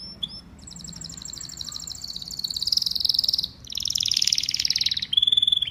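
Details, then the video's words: Canary singing a long, rapid, rolling trill that swells louder, breaks for a moment, then rolls on before ending in a clear whistled note, with low background hum. "Beautiful Canary Bird Singing"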